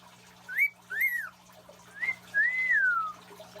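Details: Pet male cockatiel practising celebratory wolf whistles, which he normally gives when his female owner walks in: two clear whistles, each a short rising note followed by a longer rise-and-fall.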